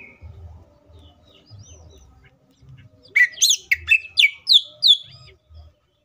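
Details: Green leafbird song packed with varied phrases, played as a lure so other green leafbirds start singing quickly and get fired up; low hum for three seconds, then a rapid two-second burst of sharp, varied whistles and chirps.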